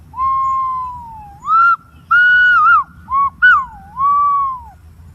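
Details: Green pigeon singing a sequence of pure whistles: a long level note that dips, then rising and falling phrases, short clipped notes, and a final long whistle that slides down.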